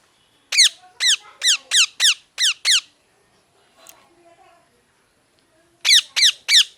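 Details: Parrot giving a rapid series of seven sharp, downward-sliding chirps, a short quiet stretch with faint murmuring sounds, then three more chirps.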